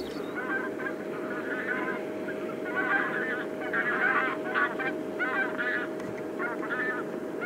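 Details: A flock of Taiga bean geese gives a run of nasal, reedy honks, several birds overlapping in uneven bursts about once a second, over a steady low hum.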